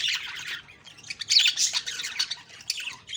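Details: Budgerigars squawking on an October 2, 2023 morning, harsh scratchy calls rising and falling in loudness, with short gaps between bursts.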